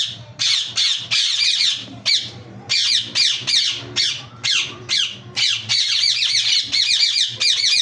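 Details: Loud grating screeches from a yellow ringneck parakeet, delivered in short separate bursts about every half second, each burst made of chattering downslurred notes; faint low hum in the background.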